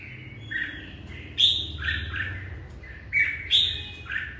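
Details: Morning song of a red-whiskered bulbul: short whistled phrases, several sharp bright notes with warbling slurs between them, in two bursts about two seconds apart.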